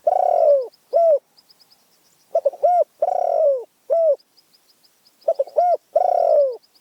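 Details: Spotted dove from Phrae, Thailand, with a small, fierce voice, repeating its phrase: quick clipped notes, then a long falling coo and a short arched coo, about every two and a half seconds. Faint high ticking runs throughout.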